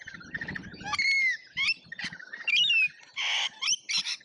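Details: Several lorikeets squabble at an Australian feeder in a feeding frenzy, giving loud harsh screeches, rasping squawks and slurred shrill whistles in irregular overlapping bursts.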